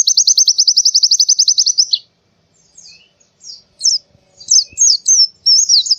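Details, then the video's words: White-eye from Central Java, Indonesia, on a forest-style tutor recording for training songbirds: a fast, even trill of high chirps for two seconds, then scattered thin notes and twisting whistled phrases. "masteran burung pleci suara seperti di hutan"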